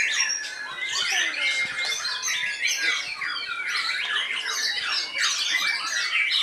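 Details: White-rumped shama, a kept songbird, singing a dense, rich run of varied whistles, chatters and buzzy notes without pause, overlapping other birds' calls.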